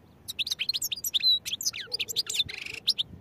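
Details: European goldfinch in full song: dense, varied twittering of quick liquid notes, slurred whistles and one drawn-out buzzy note, sustained throughout over quiet background.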